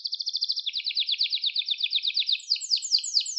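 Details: Canary singing for training birds, a steady run of rapid repeated notes that shifts slightly lower, then changes to high, sweeping upslurred notes repeated about three times a second.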